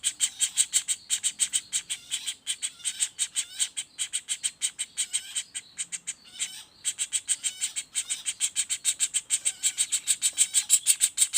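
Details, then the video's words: Young common flameback calling without pause in 'roll speed' fashion: long runs of harsh, rapid notes, about three a second, broken by a short gap near the middle. "Suara Pelatuk Bawang Anakan Roll speed tanpa jeda"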